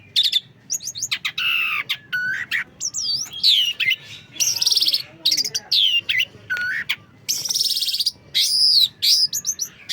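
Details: Long-tailed shrike singing a varied medley: slurred whistles that rise and fall, harsh buzzy bursts, and quick chattering phrases, with short pauses between.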